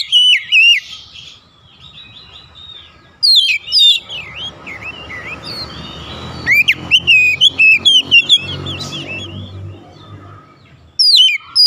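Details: Oriental magpie-robin calling to other magpie-robins, which answer: loud rich whistled phrases of rising and falling notes, bursts at the start, middle and end, with quieter distant whistling between.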